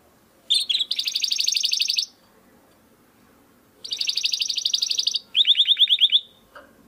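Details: Domestic canary sings 'crystal voice' song meant for training competition birds: dense rolling high trills in two long bursts, the second followed by a brighter quick rattle, with pauses and soft background hum between.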